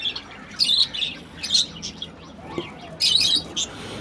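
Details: Budgerigars at morning feeding time giving bursts of high, scratchy chirps and warbling chatter, with pauses between.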